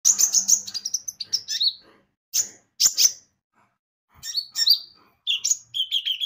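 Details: Javan white-eye (konin), a lure recording meant to make birds sing: bursts of high, thin chirps and short sliding whistles, with brief pauses between the phrases.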